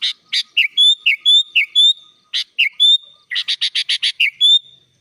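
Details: Sooty-headed bulbul singing vigorously, its song filled with imitated phrases and meant for tutoring other birds: sharp high chips alternate with short level whistles, then a tight burst of clipped notes ends in one more drawn-out whistle.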